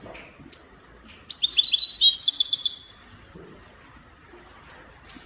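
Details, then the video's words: European goldfinch, Spanish copia song style, Morocco: an isolated chip, then a rapid rolling trill of clear metallic notes climbing higher across two seconds, ending in silence and a final short call. "Chardonneret copia Morocco من أجمل تغريد الطائر الحسون تغريد كوبيا إسباني"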